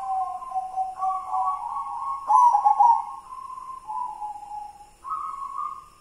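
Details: Continuous cooing from a white zebra dove of local stock, kidang Simbar manyura song style: mellow coos stepping up and down in pitch, a rapid rolled burst midway, then a higher closing coo.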